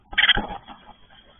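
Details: Great tit nestlings in a nest on 3 May 2022, being fed by their parents, give a brief half-second burst of harsh, high, buzzy begging calls with a soft thump partway through, then quiet.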